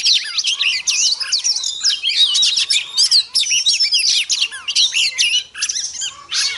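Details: Female Oriental magpie-robin in rich, nonstop song meant to rouse males: dense, rapid jumble of high whistles, trills and scratchy chirps with barely a pause.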